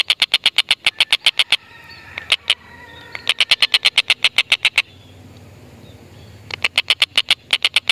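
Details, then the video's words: Stork-billed kingfisher lure call for lovebirds: runs of rapid harsh 'kek' notes broken by pauses. In the gaps come a few softer whistled notes and a faint background murmur. "Tengkek Buto Gacor Masteran Burung Lovebird"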